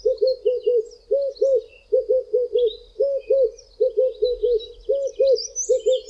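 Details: Red-eyed doves (Streptopelia semitorquata) in South Africa, two singing from tall treetops on a hot day, at times together, give the "I am... a red-eyed dove" song of low rounded coos in clusters of two to four, with faint high chirps from other birds.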